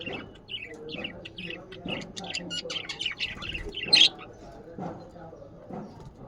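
Budgerigars chatter in quick, high chirps and squeaky tweets, with a louder shrill note near the end.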